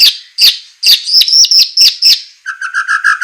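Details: White-rumped shama, recorded to train captive birds, semelet style with rough bursts: loud, sharp, explosive notes come in quick succession, then a fast run of lower, even, bubbling notes.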